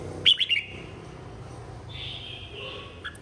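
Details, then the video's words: Red-whiskered bulbul singing in a contest, recorded 2023: opens with a loud, quick string of three or four bright chirped notes, followed by a softer drawn-out whistle. "Chào mào hót đấu 2023- Kích bổi hót - Gọi bầy"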